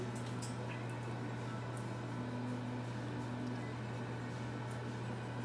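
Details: A steady indoor hum of an appliance or fan, with no animal voice. Only faint clicks and room noise sit above the drone.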